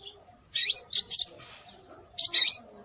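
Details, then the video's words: Scarlet minivet calls played as a lure to attract birds: two bursts of high, thin, slurred whistled notes with a quiet pause between them, and a faint low hum underneath. "Suara Burung Sepah Raja"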